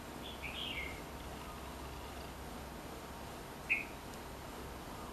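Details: Red-whiskered bulbul (Pycnonotus jocosus) near a house gives a short, bright warbled song phrase, then a single sharp chirp about three seconds later, over a steady hiss of background noise.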